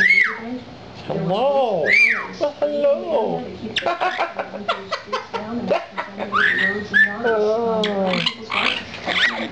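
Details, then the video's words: Pet lilac-crowned amazon indoors gives arched, rising-and-falling whistles and chortling chatter, mixed with people talking and laughing. "Baby the bird whistles & chortles"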